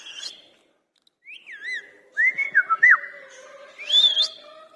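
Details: A pet Indian ringneck parakeet, described as angry, gives a string of clear whistled and gliding notes, some swooping down and others rising, with brief harsh bursts between phrases.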